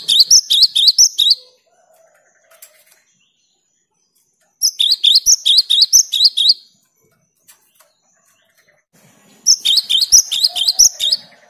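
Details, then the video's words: Actively singing cinereous tit, meant to stir silent tits into song: three separate bouts, each about two seconds of rapid, high, repeated sharp double notes, separated by pauses of a few seconds of near silence. "Gelatik batu gacor untuk merangsang gelatik macet agar rajin bunyi"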